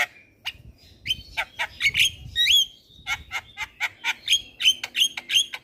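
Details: Black-winged myna song used as a lure to prompt young birds to sing: a busy run of sharp, high chirps, whistled notes and short squawks, closely repeated with brief gaps, over a faint low rumble.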